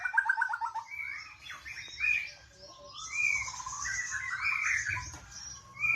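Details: Oriental magpie-robin with a quick run of short whistled notes, then varied sweet whistles and warbled phrases at differing pitches amid faint background noise.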